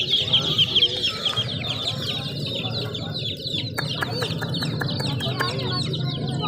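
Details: Chicks peep shrilly and loudly at first, the chorus then growing softer while a low murmur and some clicking noises are heard in the background.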